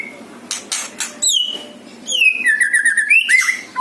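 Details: White-rumped shama song from Bali, a natural-voice lure recording: a few dry clicking rasps open, then clear whistles slide down from high to mid pitch into a wavering, sustained whistled phrase, closing with a bright rising-and-falling slur.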